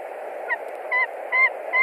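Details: During a stranger's visit to a Latvian nest in March 2021, a white-tailed eagle screams: four brief, rising yelps in quick succession against continuous background hiss.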